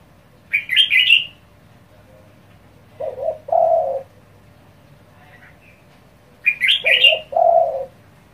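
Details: Rapid calling of a spotted dove meant to provoke other doves: two-note low coos, short then long, alternating with clusters of high squeaky chirps from another bird in a quiet background.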